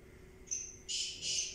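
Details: Black francolin (kala teetar) call, short and harsh: a thin high whistle, then two loud hissing, grating bursts in close succession.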